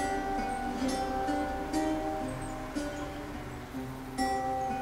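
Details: Plucked ukulele or guitar notes over a low background hum, without any animal sound.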